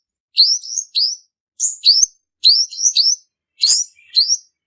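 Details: Purple-throated sunbird male singing a trapping lure song, a run of high, piercing twittered notes in pairs and triplets, each bending down then up, separated by short gaps, clean and without background sound.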